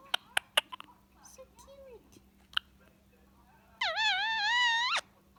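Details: Pet Indian ringneck parakeet chattering while relaxing with its owner in the evening: a few sharp clicks and soft murmured notes, then a long wavering harsh squawk held for about a second near the end.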